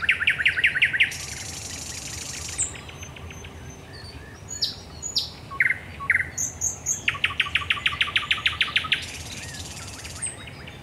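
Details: Thrush nightingale at night, Raszyn Ponds, 10 May 2021, delivering a fast knocking rattle, a hissing buzz, thin whistles and brief notes, then a long rhythmic series of loud repeated strokes.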